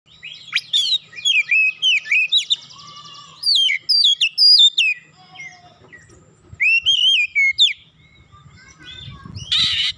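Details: Oriental magpie-robin song used as a warm-up to make the bird sing readily and raise its aggression: rapid, varied whistled phrases with rising and falling slurs and buzzy notes, delivered in bursts separated by short pauses, with a brief harsh rasp at the end.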